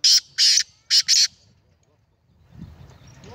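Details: Black francolin, called kala teetar, recorded 19 April 2020: four loud, harsh, grating notes in quick succession over just over a second, the middle pair close together, followed by quiet and a low rumbling background.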